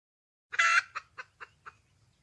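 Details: Wild red junglefowl hen seeking a mate gives one loud harsh squawk, then four fading clucks spaced about a quarter second apart, over a low hum.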